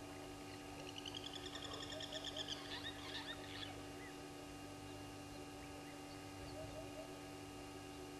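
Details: Helmeted guineafowl (Numida meleagris) at Gowrie dam waterhole, Djuma Game Reserve, Sabi Sand, South Africa, 06:50 on 18 July 2020, gives a quick burst of harsh, rattling notes over a steady electrical hum.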